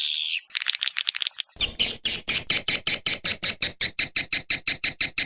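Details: Swiftlet sounds begin with a single high chirp and a short stuttering burst, then settle into an even train of sharp clicking chirps, about five per second.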